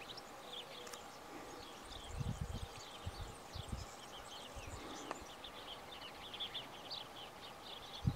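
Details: Along the bank of the Tajo river near Aranjuez, Madrid, Spain, in May 2023, several European bee-eaters give a steady chatter of brief, high, purring notes, filmed with a camera, over low wind rumble.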